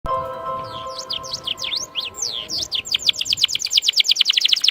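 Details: Canary song meant to stimulate other birds to sing: a series of rising and falling whistled sweeps, then quickening rapid repeated notes near the end; a faint steady hum underneath.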